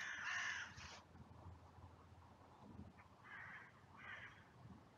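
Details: Crows in a cemetery drive away a food-stealing buzzard. A loud, hoarse caw opens the recording, then after a pause two shorter, more distant rasping caws follow about a second apart over background rumble.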